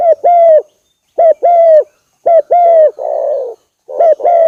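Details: Spotted dove coos to bait a rival into replying: crisp double notes, a quick upslurred kuk and a sustained falling coo, with one harsh, buzzy coo between phrases.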